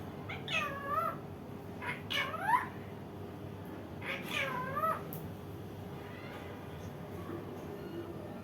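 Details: Calls from an Indian ringneck parakeet: a run of four drawn-out, wavering nasal notes with rich harmonics in the first five seconds, then quieter faint chatter over steady background hum.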